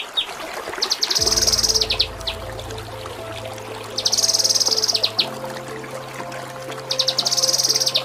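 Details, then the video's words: Kinoi training song with Cililin fill notes: three bursts of rapid, buzzy high trilling, each about a second long, separated by pauses, over a steady low droning background. "Masteran Mewah KINOI || Ngepik Kapas Tembak || Nembak Cililin"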